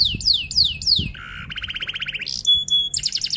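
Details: Male F1 canary in full roll-and-shots song: three loud falling whistled sweeps, then a harsh buzzy note leading into a fast pulsing roll, ending with thin high pure whistles and a bright trill; faint low hum behind.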